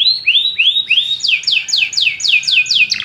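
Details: Several canaries singing together after hearing a piece of music: a run of high, rising, whistled upslurs repeated about three times a second, then a faster series of sharp descending notes.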